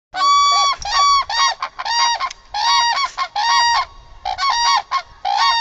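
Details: A crane, one of the common or demoiselle cranes kept in homes in Bannu, Pakistan, gives loud, ringing, trumpet-like calls in quick bursts, about eight or nine in five seconds, each rich and brassy; nothing else is heard.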